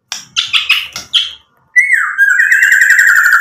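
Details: White-rumped shama singing energetically, a lure recording meant to provoke other shamas into answering, full of mimicked fill phrases: a run of short harsh chirps, a brief pause, then a long wavering buzzy trill held for nearly two seconds.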